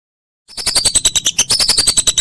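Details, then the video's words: Whistling duck calling for a songbird training recording: after a short silence, a quick series of pulsed notes with high, slightly dropping whistles. "Masteran Burung Belibis"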